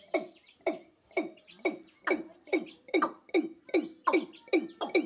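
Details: Watercock in Sylhet giving a steady series of deep, hollow, gulping notes, about two and a half per second, each with a sharp knocking start.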